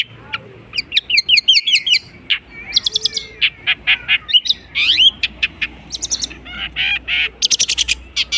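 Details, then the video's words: Long-tailed shrike imitating various birds in a busy, fast medley. Trilled ascending notes, harsh buzzy bursts, clicks and dense high rattles follow one another almost without pause. "burung cendet bisa menirukan jenis burung apapun"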